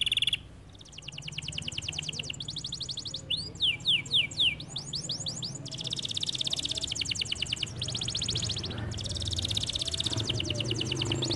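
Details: Canary song of long, rapid, rattling trills broken by a short burst of sweeping whistled notes, over a steady low background hum.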